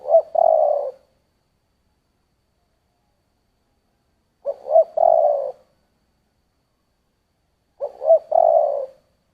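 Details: Spotted dove cooing in the 'giọng thổ' voice style: three phrases about every 3.5 seconds, each two short hollow notes then a long, steady, mellow coo, with silence between.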